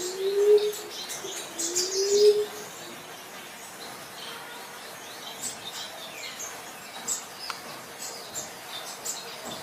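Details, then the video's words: Green pigeon calling: two low, smooth whistled notes that rise and slur upward in the first seconds, then only faint high chirps from other birds. "Burung punai"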